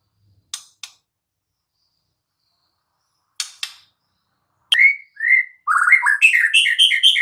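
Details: White-rumped shama in the wild: a few sharp isolated clicks separated by silence, then a loud whistled note and a rapid varied burst of warbled, chattering phrases.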